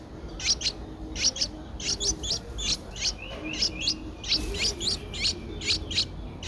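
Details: A 10-day-old Streak-eared Bulbul nestling, eyes open since day 7, at Ubon Ratchathani, Thailand, on 12 April 2023, gives thin, high chirps, often in quick pairs, repeated two or three times a second against a soft background hiss.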